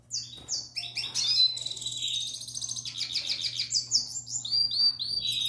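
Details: Young male Eurasian siskin (tarim), hatched in the 2021 breeding season, captive, singing to a female. Continuous, rapid, high twittering with buzzy trills and repeated chirping phrases, over a steady low electrical hum.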